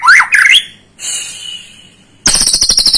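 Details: White-rumped shama lure song meant to provoke a young shama: two quick tumbling whistled phrases, a thin sustained high note, then a sudden loud buzzy, rattling trill.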